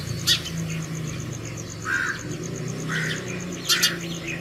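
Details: House sparrows at a hanging feeder at home calling fellow sparrows to food early in the morning: one sharp chirp, then a quick double chirp near the end, between softer mid-pitched calls over a low background hum.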